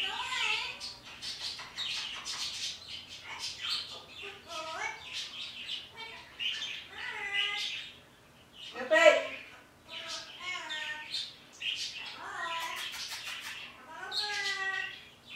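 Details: Pet parrot in the morning talking to the birds outside: varied whistled, warbling and speech-like phrases with rising and falling tones, separated by short pauses.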